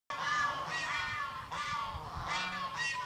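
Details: Red junglefowl in breeding season giving loud, harsh, nasal squawks, four or five in quick succession, each rich and strained, over a low steady hum.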